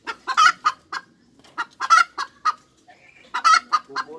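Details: Hen cackle in three bursts of sharp staccato clucks. Each burst peaks in a strained, drawn-out squawk, and the bursts repeat roughly every one and a half seconds.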